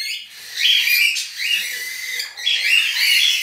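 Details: Young budgerigar nestlings removed from the nest calling in rough, scratchy, wavering bursts of about a second each, several overlapping, with brief gaps between bursts.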